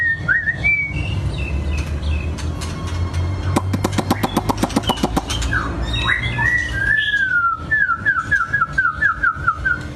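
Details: Long-tailed white-rumped shama singing in captivity: rising whistled notes, a dense burst of rapid clicks in the middle, then a descending series of repeated slurred whistles; steady low-pitched background noise.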